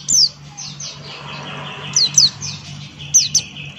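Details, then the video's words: Buxton's white-eye male singing ngalas style: sparse, high, thin whistles dropping in pitch, given singly and in pairs, with fainter chirps between and a continuous low-pitched hum underneath. "Burung Pleci Buxtoni Gacor Ngalas Buka Paruh"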